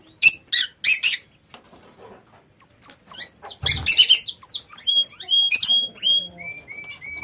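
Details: Lovebirds kept in a home aviary give sharp isolated shrill chirps, then rising squeaks and short repeated whistled notes, with quiet gaps between.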